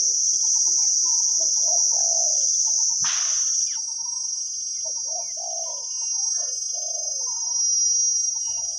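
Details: Spotted doves cooing during forest decoy trapping; the wild caller has a big 'khu-ang' style voice. Soft low coo phrases repeat steadily, with small chirping birds, a steady cricket drone and one sharp knock midway.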